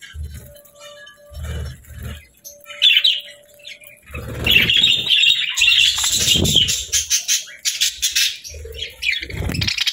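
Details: Cheerful budgie chirping and singing, starting sparse with soft rustles, then swelling after a few seconds into a dense, continuous warbling chatter of high buzzy notes with fluttering sounds.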